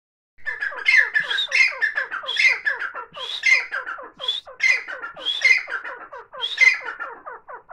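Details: Grey francolin feeding its chicks gives a steady run of harsh, squawky, high-pitched notes, grouped in rhythmic bursts under a second apart, with no other clear sounds.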